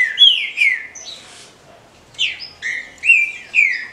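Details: Female green-winged saltator, caged, calling to excite males: two loud falling chirps, a pause with a soft rustle, then four more strong descending chirps at steady intervals.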